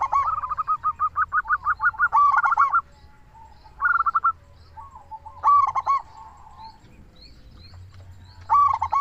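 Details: Lure recording of a local zebra dove in full voice, meant to set other doves calling: a fast pulsing string of about a dozen coos, then repeated stuttering bursts and short trills, with soft cooing between.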